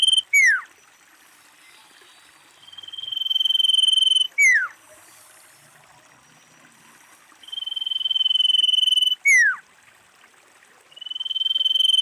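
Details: Calling of a female common iora, a lure sound for attracting the species: repeated sequences of a long, steady, rattling trill, each followed by a swift downward-slurred whistle, roughly every four to five seconds.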